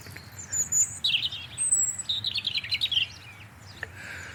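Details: A European robin in January, sitting in a garden tree and declaring its territory, sings thin, high whistles followed by quick, tumbling warbled phrases, sweet and varied, over faint background hiss.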